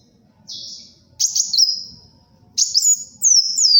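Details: Lively kolibri wulung sunbird song, recorded for luring and tutoring birds: a short high buzzy note, then longer thin whistled phrases that slide downward, ending in a bright twittering run.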